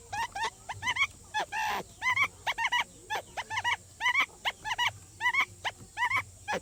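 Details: Quail lure call: quick series of short, sharp chirped notes, often in pairs and triplets, repeated steadily over a hissing background.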